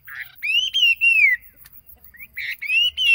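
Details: A yellow phua kept as a decoy bird sings clear, ringing whistles, some long and gently falling, with a brief buzzy note before each phrase, in a quiet setting.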